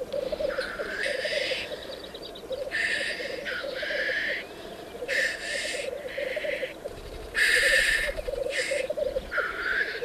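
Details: Courting black grouse at a lek in darkness before dawn, when females visit the arena: continuous low bubbling rookooing beneath frequent harsh hissing bursts, several overlapping and some briefly repeated, as if from more than one male.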